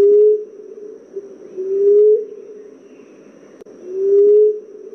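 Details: Common emerald dove (Chalcophaps indica) giving low, soft, moaning coos that swell and rise slightly, each about half a second, roughly every two seconds over quiet background; recording meant as a lure sound for hunting this bird.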